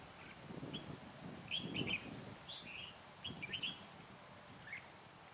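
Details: Red-whiskered bulbul serving as a trapping lure on a cold day of 12 to 15 degrees; quick chirpy warbled phrases in two bursts, a few softer notes after, low rustling noise beneath.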